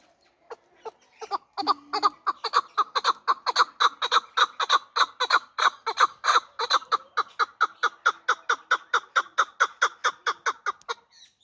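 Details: Young hybrid fighting chukar partridge giving a long series of harsh clucking notes, about four per second, building steadily in strength and then tailing off near the end.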